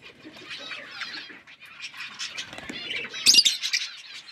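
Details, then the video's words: Parrots chirping as they eat: a busy flock chatter of overlapping high, buzzy and warbled notes, with a louder sharp squawk near the end and faint rustling. "birds eating food birds chirping sounds"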